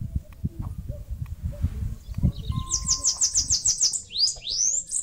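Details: Singing Bananaquit, nest-building on a mandacaru cactus in Brazil's Nordeste. After two quiet seconds of low rumble and faint ticks, a rapid series of high sibilant slurred notes starts, ending in rising sweeps.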